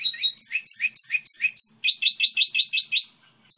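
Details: Goldfinch hybrid singing a model song of evenly spaced, high, sliding chirps, then a faster run of repeated bright notes ending in silence.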